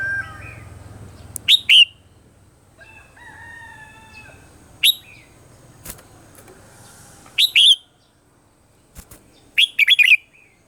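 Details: Red-whiskered bulbul singing in the morning, a Vietnamese decoy recording meant for training birds' voices: short, sharp, chirpy bursts repeated four times at irregular gaps over ten seconds, with faint long whistled tones and a low hum between.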